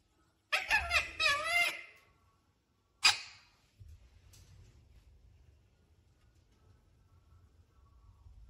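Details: Pet parrot that says "Mummy Papa", indoors, giving a run of harmonic, wavering, speech-like calls for about a second, then a sharp single squawk, followed by quiet low room rumble.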